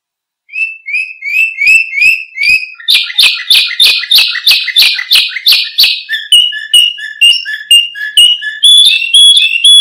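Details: Canary song used to prompt and tutor other birds: rising whistled notes repeated twice a second, then a fast buzzy rolling trill, ending in varied chirps and whistles.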